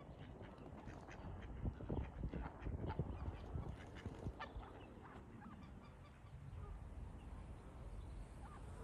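Greylag geese cackle in loud, irregular bursts of nasal honks, several birds calling over one another, with a steady low rumble of background noise.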